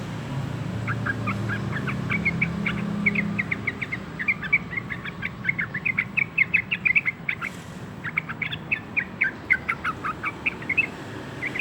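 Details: Young sooty-headed bulbul, two months old, learning to sing: a long run of short chirpy notes around mid-high pitch, quick and uneven, over a low rumbling background hum like traffic.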